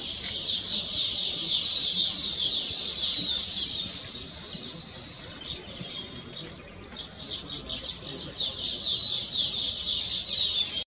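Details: Weavers singing on their completed nests, described as celebrating; a dense, rapid, high-pitched chattering chorus of buzzy trills and repeated slurred notes, continuous from start to finish.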